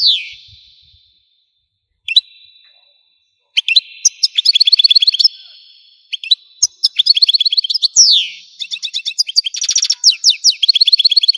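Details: Algerian goldfinch song in bursts: isolated buzzy calls with silent gaps, then long runs of rapid twittering, descending slurred whistles and a harsh rattling trill.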